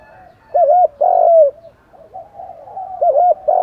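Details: Spotted doves, cock and hen, give decoy coos meant to rouse wild birds. Loud, mellow arched coos come in pairs, with a long drawn coo and quieter wavering notes between them.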